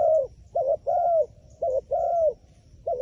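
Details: Low, hollow cooing from a wild pigeon, a brief note then a drawn-out slurred coo, the pair repeating roughly every second over a quiet background.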